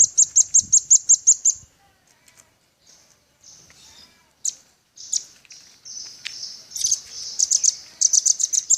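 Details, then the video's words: Velvet-fronted nuthatch singing actively, in a songbird training recording: a fast run of about eight sharp, high chipping notes, then scattered faint chips and short bursts, closing with several quick high trills. "RAMBATAN PARUH MERAH GACOR"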